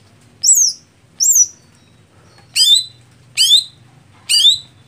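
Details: Greater green leafbird contest setting for a slow-starting bird: five clear high whistled notes, the first two sliding down sharply, the later ones layered and falling, spaced under a second apart.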